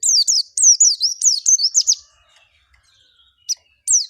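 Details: Oriental white-eye ngalas gacor lure for making white-eyes sing quickly: a run of high, looping downslurred whistled notes in a rapid string, then near quiet broken by two single sharp chirps.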